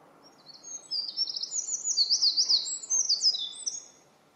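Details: Eurasian wren singing on 21 May 2017 in a dim spot, filmed with a Panasonic DC-FZ85: a loud, high, tumbling song of fast trills and sharp zigzag notes lasting about three seconds, over faint background noise.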